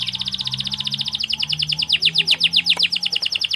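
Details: Canary singing a speedy, tightly packed training song: a rapid rattle of high repeated notes that broadens into falling sweeps, with a low steady hum beneath.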